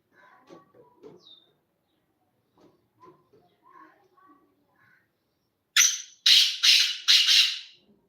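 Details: Black francolin giving a loud, harsh call of four rasping, broadband notes in quick succession near the end, preceded by faint scattered chirps and soft sounds.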